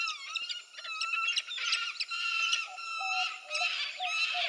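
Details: Peregrine falcon giving loud, grating, drawn-out screams that run together almost without pause, pulsing in strength and briefly dropping away a few times, with a quieter, lower tone beneath.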